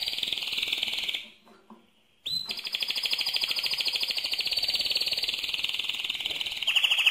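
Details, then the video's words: Powerful mosaic canary song: a high rapid roll, a sudden silence of about a second, then one sharp upward note opening into a long even trill that carries to the end, brightening in the last moments. "le Chant le plus fort de canari mosaïque"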